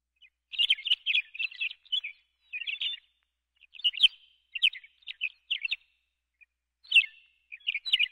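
McCown's longspur giving dry, high chattering notes in short rattled bursts, about a dozen clusters over eight seconds, against a quiet background.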